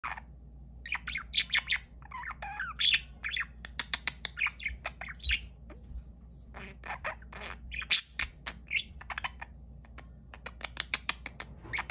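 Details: A pet budgerigar, described as happy, chatters in a busy stream of chirps, squawks and warbled notes.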